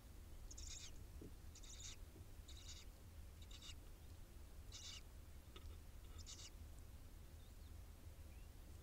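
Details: Barn owl nest with the first nestling newly hatched, on a live nest camera in Israel; short harsh hissing bursts repeat roughly every second against a steady low hum.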